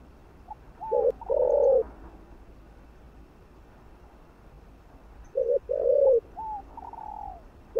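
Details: Spotted dove coos used to stimulate other doves. Two low phrases several seconds apart, each a short note and a longer coo, followed by higher, slurred, descending whistled notes.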